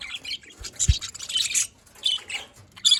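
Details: Budgerigars at morning, 5 November 2023, Larkana, Sindh: short bursts of high scratchy chirps and squeaky notes from a few birds, broken by brief pauses and a soft knock.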